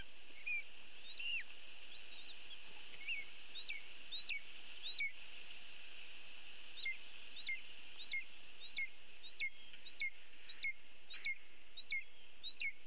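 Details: Live nest-camera sound from a lesser spotted eagle nest in a birch in Latvia as a bird is brought in. A long run of high, falling yelps, uneven in spacing with a brief pause midway, over persistent hiss.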